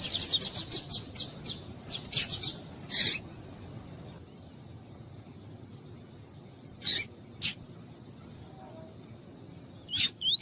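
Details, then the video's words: Double-collared seedeater, a female's calls used to stir up a male for song tournaments; a rapid run of sharp high chirps for three seconds, then silence broken by single clipped chirps near seven and ten seconds. "COLEIRO TUÍ-TUÍ FIBRA COM FÊMEA CHAMANDO ESQUENTAR COLEIRO"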